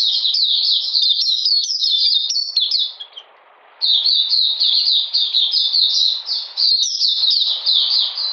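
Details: Oriental magpie-robin singing in cold rainy weather on 13 June 2020 during a deworming course: fast runs of sharp, high, down-slurred chirps, about four a second, with a short pause midway.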